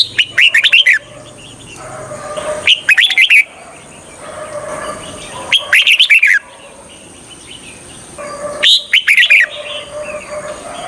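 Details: Decoy red-whiskered bulbul singing to lure wild birds for trapping: four short bursts of bright, chattering whistled phrases, each under a second long, coming every two to three seconds, with quiet background hiss between them.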